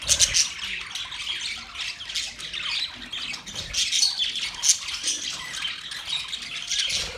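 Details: Mating budgerigars chirping: an unbroken stream of scratchy chatter, squeaky whistles and harsh squawks, rising and falling in loudness, with a short clear tone heard twice.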